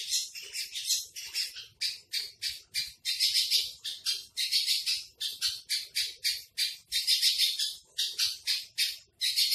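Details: Javan bush lark (branjangan trotol) giving masteran song: a steady series of high, buzzy, rattling notes repeated in quick pulses, a few louder clusters among them.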